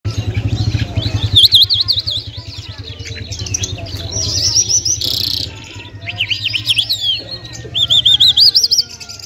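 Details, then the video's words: Lark, called Lunda or Mashadi jal, an Afghani lark from Parachinar, in full song: varied high whistled phrases and rapid rising-falling warbles over a steady low hum, with a short buzzy burst midway. "Top Lunda Larks Mashadi sk lunda jal full Sining"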